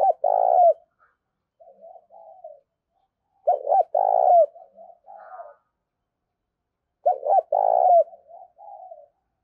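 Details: Spotted dove call used to attract wild doves. Three loud, emphatic two-part coos come roughly every three and a half seconds, each followed by a string of softer, lower-volume coos. Quiet background.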